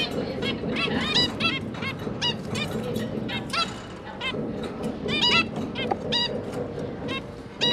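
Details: Zebra finch family of two parents and three juveniles, 5 September 2022, during feeding of the new babies; dense run of nasal, trumpet-like calls repeated almost continuously, with a steady low rumble of background noise underneath.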